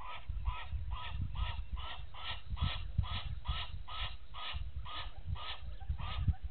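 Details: Egyptian goose pair at Gowrie dam waterhole, Djuma Game Reserve, Sabi Sand, South Africa, at 04:57 on 19 November 2018, giving a rapid run of harsh, nasal honks, about two per second, steady in pitch, over a low background rumble.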